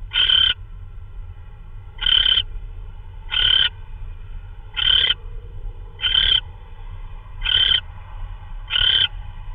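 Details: Owl at 3:12 AM on March 16, 2013, delivering prey that may be a vole; seven harsh, raspy screeches, each about a third of a second long, repeat roughly every 1.4 seconds over a low background rumble.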